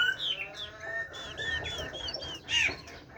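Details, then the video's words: Chinese hwamei, a caged bird, singing in the giọng rừng or forest-voice style: short arched whistles and chirps with a louder rich note near the end, against soft room hum. "Họa Mi hót . tiếng chim họa mi hót giọng rừng nuôi"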